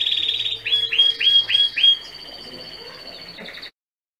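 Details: Song of a canary played so a young male, caged apart from his parents, learns to sing; a fast high roll, then four looping upswept notes and a thin sustained trill ending abruptly.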